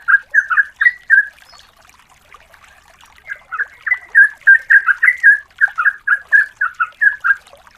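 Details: Lure recording of a female yellow-vented bulbul calling the male: a short burst of bright, warbled whistles, a quiet stretch, then a long, fast chain of bubbly, evenly spaced notes.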